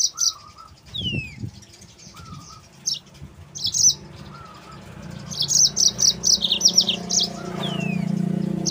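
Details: Yellow-fronted canary song used as a lure and training recording for other canaries: high, rapid chirps and trilled bursts, several long downslurred whistles, and a faint lower whistled note repeated between phrases, over a low background hum.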